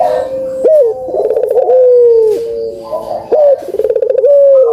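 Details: Barbary dove coos, played to get silent doves calling: long level coo, then pulsed rolling phrases with falling tails, loud and close.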